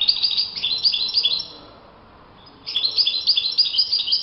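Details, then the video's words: Wild European goldfinch sings in open nature: two bursts of rapid, bright, liquid twittering, high and tinkling, separated by a pause of about a second. "chant chardonneret le Roi de la nature- Le chardonneret en pleine nature"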